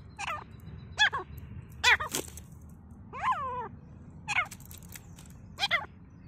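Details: Grey francolins fighting in forest: loud, nasal, arching harmonic calls repeated roughly every second, some doubled, with a constant low hum underneath.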